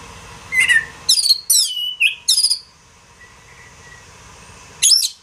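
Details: Oriental magpie-robin song recorded as training material for songbirds: a few bright whistled phrases and a sliding note, then a pause and a final buzzy burst, over steady background hiss.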